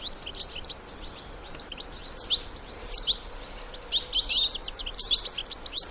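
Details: European goldfinch family, adults and young, singing in the wild. Scattered high twittering notes build into louder, denser chattering bursts in the second half, over constant environmental hiss.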